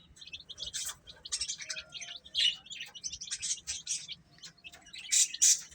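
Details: Baby chickens eating, giving a quick run of high, short peeping chirps from several chicks, overlapping and irregular, with brief broadband clicks mixed in.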